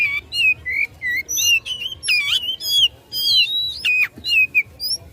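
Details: Oriental magpie-robin singing aggressively at rivals: clear whistled phrases that rise and fall, mixed with quick slurred notes, in a continuous lively delivery.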